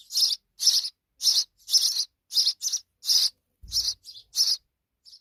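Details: Hungry sparrow young in Pakistan, fed insects by their mother, give loud high buzzy chirps, some paired, roughly twice a second before tailing off, with one low thud partway through.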